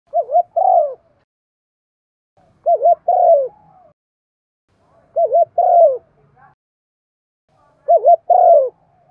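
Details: Spotted dove giving urging coos and calls used to quickly stir other doves into cooing; four low, mellow phrases, each a quick wavering double note then a longer falling coo, repeated about every 2.5 seconds against a silent background.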